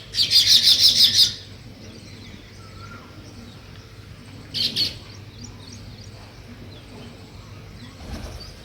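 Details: Nest-building weaver birds give a loud, fast string of sharp, high chirps for about a second, a shorter similar burst a few seconds later, and faint scattered ticking notes between them.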